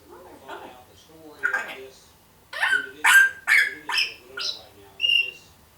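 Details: One-year-old female pet African grey parrot chattering mimicked phrases: soft murmurs, then six sharp, harmonic, voice-like bursts about half a second apart.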